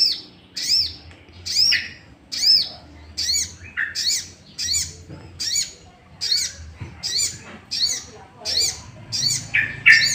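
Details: Sooty-headed bulbul sound used as a lure to provoke other bulbuls into singing: short arched, harmonic-rich notes repeated about once a second, with occasional lower, harsher notes between them.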